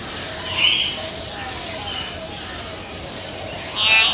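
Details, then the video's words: Common hill myna in India producing two loud, harsh, screechy squawks several seconds apart, with faint lower whistled notes between them and steady background noise. "Amazing Hill Myna Birds Beautiful Sounds"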